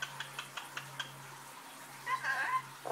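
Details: A male pet rainbow lorikeet speaks in a short, high, nasal talking phrase, with words like "hello" and "I love you", after a run of quick dry clicks about five per second, over a steady low hum.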